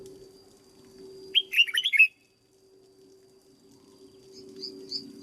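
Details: Caged red-whiskered bulbul under training, a single tumbling phrase of six loud whistled notes, followed by faint high chirps from another bird and background hum.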